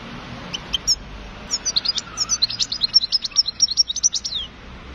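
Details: European goldfinch singing: a rapid, twittering run of high, sharp notes that starts with a few scattered chips and builds into a dense, jangling series of buzzy trills. Faint background noise.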